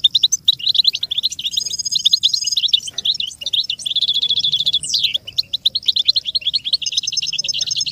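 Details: American goldfinch singing for the training of young songbirds: a long, busy stream of high twittering notes with brief buzzy trills, one swooping descending note near the middle, and a soft hum in the background.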